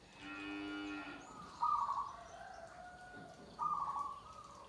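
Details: Zebra dove (perkutut joglo) song: after a cow moos at the start, two bright cooing phrases begin abruptly and trail off in level tones.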